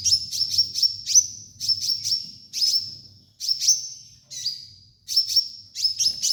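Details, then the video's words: Sunbird (kolibri ninja) master song for bird training: quick runs of very high, thin chirps, each cluster ending in a sustained shrill whistled note, repeated in steady bursts roughly every second. "MASTERAN KOLIBRI NINJA DAN TERAPI KONIN BAHAN"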